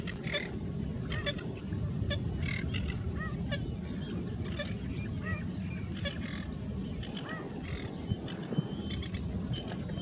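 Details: Pied stilts (white-headed stilt, Himantopus leucocephalus), 28 July 2019: short, yapping, puppy-like calls in scattered bursts, several birds overlapping, over a steady low rumble of wind or water.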